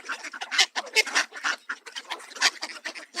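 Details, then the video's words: Mallard ducks, noisy and swarming around handfuls of bird seed while being fed alongside Canada geese; dense, overlapping harsh quacks burst rapidly and almost continuously from many birds at once. "Ducks Quacking"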